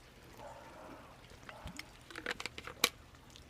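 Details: Quiet indoor room with faint rustling, crinkling and scattered keyboard-like tapping and clicks; no animal voice is heard.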